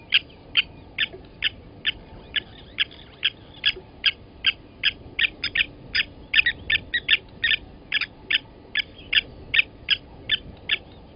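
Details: Blacksmith lapwings at Gowrie dam waterhole, Djuma Game Reserve, Sabi Sand Wildtuin, South Africa, 07:47 on 29 August 2020, as one adult grabs a chick from the nest and kills it: sharp metallic clinks repeated about two or three per second, uneven, over low background rumble.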